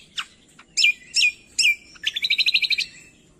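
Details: Masteran of cucak kombo to coax quiet songbirds: several loud, descending slurred whistles followed by a rapid, even trill of about a dozen high chirped notes.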